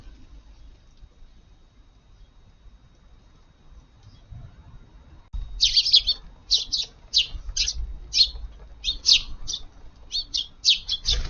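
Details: Garden sparrows at breakfast on a rainy-dawn July morning: quiet at first, then a steady run of sharp high chirps, repeated roughly twice a second for several seconds.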